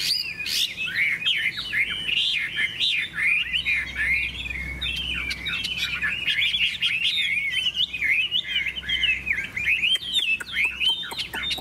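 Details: Hwamei singing in a contest, bright yellow with a large tail and wing-flicking display, pours out a dense, unbroken stream of fast warbled whistles, trills and sharp chips with almost no gaps.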